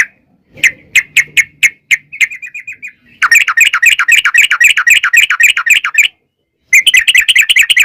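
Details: Yellow-vented bulbul (trucukan) in 'ropel panjang' song to set other birds singing: quick spaced chirps and a wavering thin run, then a long rapid chattering trill, a pause, and another dense burst.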